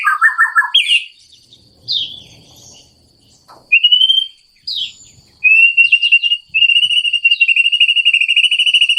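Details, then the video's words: Wild White-rumped shama singing a morning song by a stream: a low warbled phrase, then slurred rising whistles separated by short pauses, ending in a long, fast series of repeated bright notes, roughly three per second. "Wild Murai Batu Legend Singing By The Stream"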